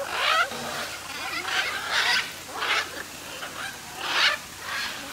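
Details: Raspy, screeching macaw calls from an aviary at Parque das Aves, Foz do Iguaçu, Brazil, coming in steady harsh bursts roughly every half second, overlapping from more than one bird.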